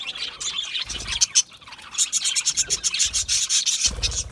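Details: Budgerigars chattering in quick, buzzy, rasping bursts that repeat rapidly and grow denser toward the end, with dull low knocks in between.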